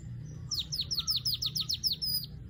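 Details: Weaver giving a fast run of about a dozen bright, high chirps, each sliding steeply downward, delivered in quick succession over about two seconds, with faint low hum beneath.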